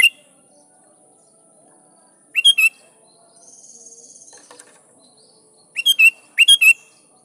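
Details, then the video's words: Sooty-headed bulbul singing to call rivals and draw answers from wild birds: two bursts of quick, bright, bubbling chirps separated by a few seconds of near silence, with a soft rasping sound in between. "Suara Burung Kutilang Gacor Memanggil Lawan || Kutilang liar nyaut dan GACOR"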